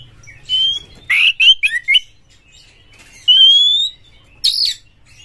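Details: Caged white-rumped shama singing to provoke other shamas: long clear rising whistles alternate with quick clusters of sharp chirps and buzzy high notes, phrases separated by pauses of about a second, with faint low hum early on.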